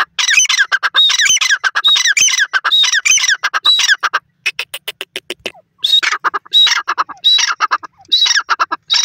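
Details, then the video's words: Loud, rhythmic teetar calling from a francolin: dense runs of raspy squawks with recurring whistled slides, a brief lull of clicking notes midway, then the phrases resume. "Teetar voice,Pure Natural Sounds of the Francolin"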